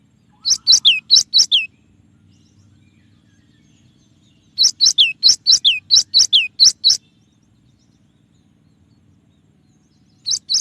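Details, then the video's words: Cinereous tit in a clear training recording with song variations, giving three bursts of loud high two-note phrases, each a sharp chip dropping into a downslurred whistle, in runs of about six, ten and two notes with silent gaps "suara burung gelatik batu dengan variasi tembakan banyak yang nyari"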